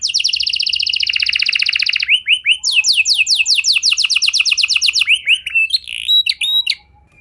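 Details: Singing canary, played to set other canaries singing: a long fast buzzy trill, then rows of quick falling whistled notes, ending in scattered chips and a brief silence.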